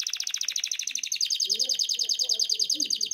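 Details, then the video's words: Male canary singing in breeding condition to call the female: a fast, steady trill of bright, high notes, about a dozen per second, stepping up in pitch after the first second, with faint low murmuring beneath. "CANZONE DEI CANARINI"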